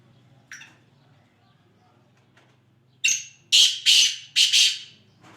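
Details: Kala teetar, the black francolin, recorded in Sindh, Pakistan, gives one faint note and then, after a pause, a burst of loud rasping notes delivered in a fast uneven rhythm over a low background hum.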